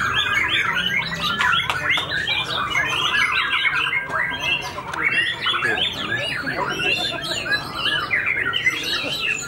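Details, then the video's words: White-tailed white-rumped shama, newly finished moulting, in energetic fighter song at a contest where it placed first; rapid choppy chattering and short whistled bursts, densely repeated, with some clicks. "BOMAT MB UNIK SUPER FIGHTER PASCA MABUNG NGAMUK PODIUM SATU"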